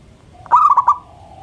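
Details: Local zebra dove singing actively on a morning, its song said to make others join in: a brief, mellow phrase of four bubbling coos ending in a soft drawn-out tone, with quiet background noise.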